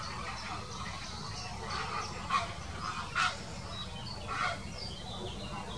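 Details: Grey heron squabble recorded in 2018: after quieter murmuring, three sharp, harsh squawks stand out, spaced roughly a second apart, against a soft background of distant birds.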